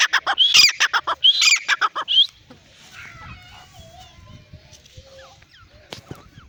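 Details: Francolins, a male and a female, fighting; loud harsh rasping calls in rapid repeated bursts for about two seconds, then quieter scattered chirps and faint background sounds.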